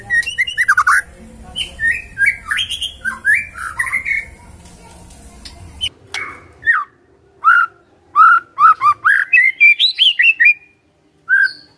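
Oriental magpie-robin singing a varied run of rich whistled and slurred phrases, some quick and chattering; a low background hum fades midway.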